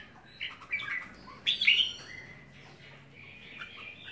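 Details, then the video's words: Red-whiskered bulbul, a home-kept bird, with a short bright whistled flourish rising sharply mid-clip, followed by softer sustained chirping in a quiet background. "Chào Mào"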